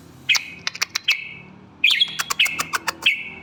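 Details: Red-whiskered bulbul singing short, bright whistled phrases that slide downward. Each phrase begins with quick clicking notes. Two bursts are separated by a brief pause, and there is a faint low hum underneath.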